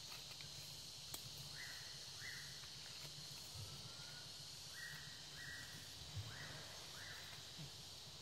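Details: Palawan peacock-pheasant in the Underground River National Park, Palawan, Philippines, on 26 May 2018, giving short, slightly rising mid-pitched notes in pairs every second or two over steady hiss, low rumble and soft thumps.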